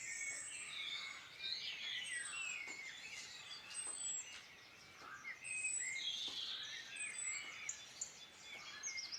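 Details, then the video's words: Birdsong in the Irish Midlands, Ireland: many birds singing at once, a dense chorus of high chirps, trills and whistled phrases overlapping continuously, with steady background hiss. "Beautiful birdsong in Ireland Midland"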